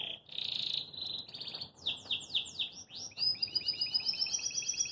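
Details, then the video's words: A caged Belgian canary sings a rapid, varied song of high buzzy trills, sweeping whistles and quick repeated chirps with no pauses. "Canário Belga Dá Um Super Show de Canto"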